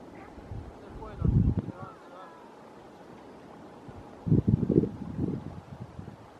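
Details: Flying steamer duck (Tachyeres patachonicus) at the mouth of the Pichi Traful river giving two bursts of low, rough croaking grunts a few seconds apart, with faint thin whistled notes after the first; steady background hum.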